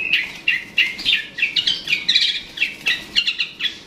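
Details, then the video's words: Long-tailed shrike calling to provoke a rival: a run of short, sharp chirps and chattering notes, repeated several times a second with brief pauses, bright and high-pitched against a quiet background. "Suara Burung Cendet/Pentet memancing Lawan"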